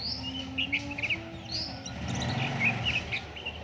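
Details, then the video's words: Oriental white-eye song used as a lure to set other white-eyes singing: quick high chirps and short twittered notes in bursts, over a steady low humming drone and background noise. "Burung Pleci Gacor"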